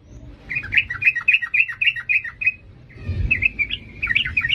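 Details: Sooty-headed bulbul in 'ngalas' style, an energetic song meant to train young birds: a steady chain of paired chirps for two seconds, a pause with a low thump, then a jumbled run of bright chirped notes.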